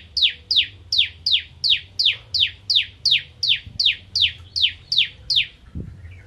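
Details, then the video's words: Bar-winged prinia of the crystal type singing eagerly in the nembak ngentrok style: a steady string of about fifteen sharp, high notes sweeping steeply downward, repeated nearly three times per second, over a faint low hum. "Ciblek Kristal Gacor Nembak Ngentrok"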